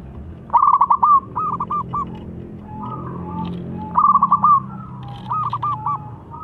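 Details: Actively singing local zebra dove, loud-voiced, played as a lure to make a rival respond: two bouts of quick stuttering pulsed coos, each followed by a few shorter rolling notes, over a low background hum.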